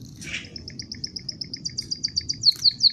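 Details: A canary opens with a harsh buzzy note, then rattles off a steady string of crisp high chirps that swell in loudness and emphasis as the phrase goes on.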